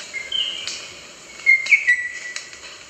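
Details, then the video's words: A rosella gives clear, piping whistles, a short higher note then longer level notes, over a faint background hiss. "Different Rosella Bird Sounds"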